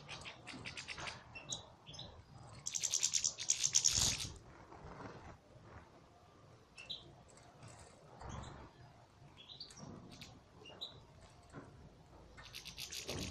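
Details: European goldfinches in a breeding aviary: bursts of buzzy, rapid twittering and liquid chirps with short whistled notes, a loud chattering burst near the middle, then scattered calls and a final buzzy trill.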